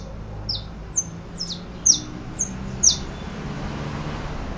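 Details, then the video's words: Saffron finch uttering six high, sharp, descending chirps at irregular intervals over steady low background noise. "Canario da terra"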